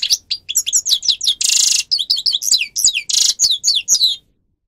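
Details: Grey-crowned goldfinch singing, recorded to train captive birds: a rapid stream of high twittering notes and slurred tweets, broken twice by a dense buzzy trill, ending abruptly after about four seconds.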